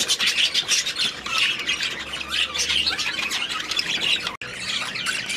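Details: Budgerigars in an aviary, a flock giving dense, continuous chatter of squawks, warbles and chirps throughout, with a brief break near the end before the chattering resumes.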